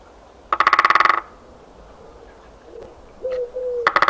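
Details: Great spotted woodpecker drumming in winter countryside, recorded 13 February 2018: a rapid roll of about a dozen even beats lasting under a second, another roll starting at the end, with a faint tonal call between.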